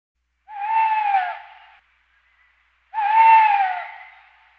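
Great grey owl giving two drawn-out, hoarse wailing calls, each slightly falling in pitch, about two seconds apart; nothing else is heard.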